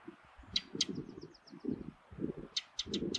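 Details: Ring ouzel calling in the Durham dales: hard, dry clicking notes, two spaced ticks early on, then a quick run of four near the end, with a faint series of thin high ticks between and a steady low rumble underneath.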